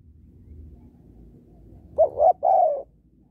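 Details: Female spotted dove calling to excite males. One phrase of two short coos runs into a longer descending note, with a soft low hum underneath.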